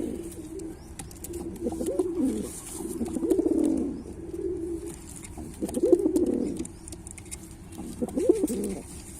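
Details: Low, bubbling coos from a Pilkha breed pigeon come in irregular bursts, four separate swells across the stretch, each a warbling, throaty rumble with soft pauses.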